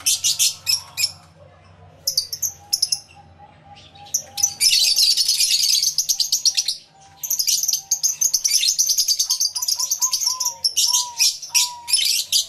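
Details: Many lovebirds in an aviary, including yellow-collared birds, give bursts of shrill, rapid chirps that start and stop in waves, with a faint wavering whistle running beneath them.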